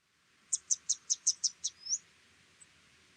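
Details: Yellow Thornbill, likely nominate race: a quick run of seven thin, very high ticking notes, evenly spaced, ending in a short upslurred squeak; other small brown birds can give this call type; otherwise quiet.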